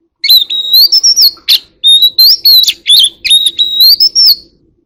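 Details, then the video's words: Flock-calling song of a white-rumped shama in "forest voice" style: loud piercing whistles that slide upward, mixed with sharp clicks and brief buzzy notes, in rapid runs over about four seconds. "Chòe than hót giọng rừng"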